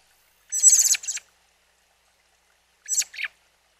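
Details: Newly fledged young robin, out at a mountain spring with its mother, gives two harsh, hissing, high-pitched rasps, the first longer and stuttering, the second shorter about two seconds later. Nothing else is heard.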